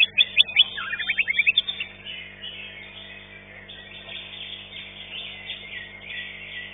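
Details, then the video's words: At an Indonesian singing contest, a caged green leafbird that took fifth place bursts into loud, piercing high chirps and trills for under two seconds, then the crowd's chatter and distant birds carry on. "CUCAK IJO"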